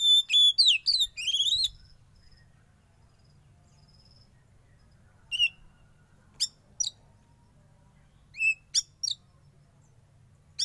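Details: Young wild-caught Oriental magpie-robin, the black-and-white kacer, during sauna therapy. A burst of sharp whistled notes sliding up and down opens the recording, then scattered brief chirps and whistles follow over faint low background rumble.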